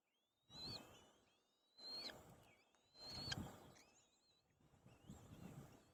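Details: White-tailed kite chicks quarrelling over food: thin, high whistled calls that rise and sweep upward, each with a sharp broadband thump of scuffling, in bursts roughly every 1.3 seconds.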